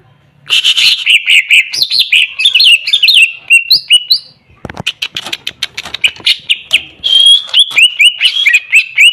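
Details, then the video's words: Greater green leafbird singing energetically: dense trilled phrases and looping slurs, a stretch of sharp clicks, then repeated clear rising and falling whistles. "Cucak Ijo Macet dan Bahan Denger, langsung nyaut dan bunyi"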